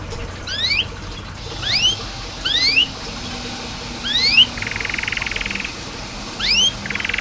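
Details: Canary giving spaced single rising whistles about a second apart with two brief buzzy trills, over a steady hiss, as coaching for canaries that rarely sing.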